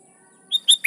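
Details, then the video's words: Fragment of sooty-headed bulbul song aimed at calling rivals: three quick clear whistled notes, the last one dipping, cut off at the end. "Suara Burung Kutilang Gacor Memanggil Lawan || Kutilang liar nyaut dan GACOR"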